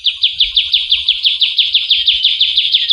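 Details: A wild trilling shrike-babbler (Pteruthius aenobarbus) in Javan forest gives a fast, even series of high, sharply descending chip notes, about three per second, with only a faint low rumble behind.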